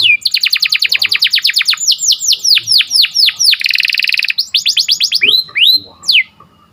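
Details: A canary sings in the morning: a rapid string of falling chipped notes, slower swooping slurs, a dense buzzy trill, then a few spaced rising and falling whistles before fading.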